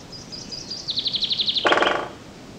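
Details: Dendrocopos major, the great spotted woodpecker, feeding newly fledged young: a few high thin notes lead into a quick, evenly spaced series of sharp chips, ending with a short broadband rustle over faint background hiss.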